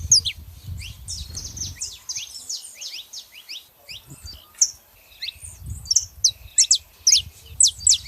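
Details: Female and male saffron finches sing busy strings of high, quick downslurred notes, thinning out mid-clip and then returning as loud, sharp chips, over a low background rumble.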